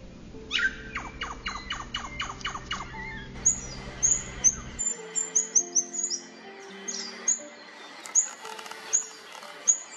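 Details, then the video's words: A rufous fantail in the Australian bush gives a quick run of about nine thin, falling squeaky notes, then scattered high, sharp chips. Faint low tones hum underneath, possibly music. "Rufous Fantail Call. Bird Song, Sound, Noises"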